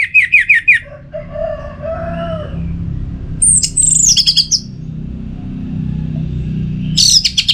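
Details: Orange-headed thrush song used as a lure to keep the bird singing: a fast run of high repeated chirps, lower fluting warbles, then a descending high whistled slur and closing burst of sharp notes over faint low hum.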